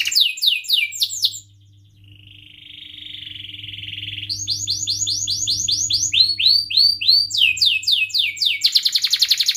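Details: Canary singing energetically to teach young birds and outsing rivals: sweeping chirps, a soft buzzy trill swelling over two seconds, then successive tours of rapid, repeated bright whistled notes growing louder toward the end.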